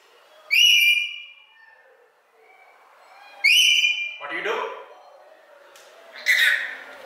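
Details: Pet rainbow lorikeet speaking, asking its owner what he was doing: two sharp whistled harmonic syllables, then rougher speech-like bursts a second or two apart, indoors with little background noise.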